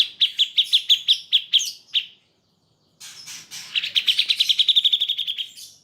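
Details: Grey-cheeked bulbul (cucak jenggot), used for training pet birds: about ten evenly spaced high chips, a second of silence, then a quickening, buzzy trill of tightly packed notes that fades at the end.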